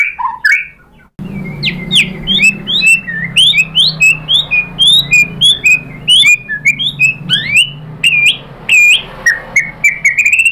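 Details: White-rumped shama lure song used to provoke other shamas to sing: a dense, varied stream of bright rising whistles and sharp chips, delivered rapidly over a faint low background hum.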